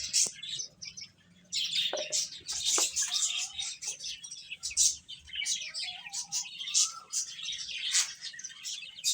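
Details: Chicks calling while they eat: piercing high peeps pour out nearly nonstop, and a few clearer, longer whistled notes in the middle stand out from the flock.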